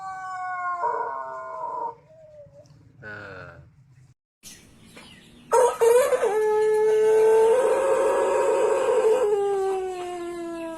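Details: White Pelung rooster crowing: brief earlier crow fragments, a gap, then a powerful long crow that swells and holds a steady tone for several seconds before sliding slightly lower at the end.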